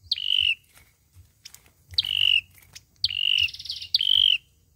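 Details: Olive-backed sunbird singing its fighting song, used for trapping: four upslurred notes each flattening into a level whistle, roughly one a second, one overlapped by a brief trill.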